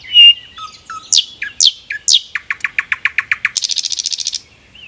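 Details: Forest song of a common nightingale: a loud pure whistle, several slurred downward notes, an accelerating string of crisp chips and a final fast buzzy trill, with a quiet whistle at the end.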